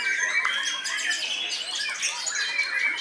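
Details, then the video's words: White-rumped shama at a bird song contest, delivering an aggressive, angry-style competition song that won first place. Rich ringing whistles mixed with harsh squawky notes and rapid flourishes, over a busy chorus of other caged songbirds. "Murai Batu Seno 'Marah-Marah' Muntahkan Semua Amunisinya!"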